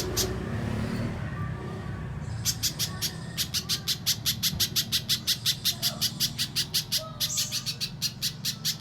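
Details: Little spiderhunter giving mbeset-style song for contest bird training: after two quiet seconds of low background hum, a long string of sharp, high chip notes begins and runs steadily, with a brief pause near seven seconds.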